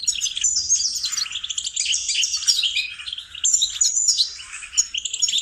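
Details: Goldfinch song played to teach and support songbirds: a dense, bubbling twitter with high, thin whistled notes and fast trills, the phrases flowing almost without break.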